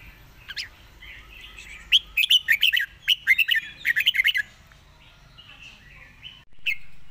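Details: Rapid, fast-delivered 'zone' song of a Red-whiskered bulbul: one early note, then a dense two-and-a-half-second string of about twenty bright, punchy warbled notes, fading into soft twitters, with a low background hum and a final thud.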